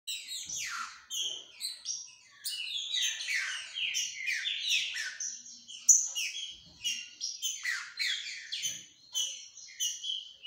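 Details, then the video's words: A captive female Green-winged Saltator, early in the season and starting to come into condition, gives a fast, busy run of bright chirps and steeply falling notes, overlapping almost continuously for ten seconds. "fêmea de trinca ferro dinossauro começando a esquentar"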